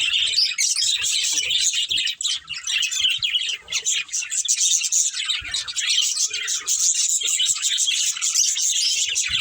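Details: Budgerigars in a breeding pair chattering: busy, scratchy chirps and twittered warbles, loud and continuous with brief dips, plus faint low taps in the background.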